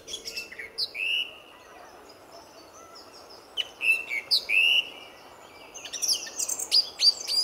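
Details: Lively song thrush greeting a February sunrise at RSPB Fowlmere; clear slurred whistles repeated two or three times, then a dense burst of rapid high twittering notes to close.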